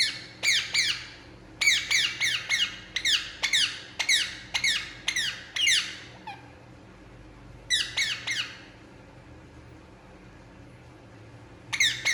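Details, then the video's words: Indian ringneck parakeet, relaxing, giving harsh descending squawks in bursts of several notes with short pauses between groups, in a quiet indoor room. "Indian Ringneck Parakeet Relaxing And Making Sound"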